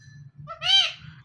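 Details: One brief, raspy, nasal squawk, arching slightly in pitch, from a pet talking parrot kept as a male and female pair, with low hum underneath.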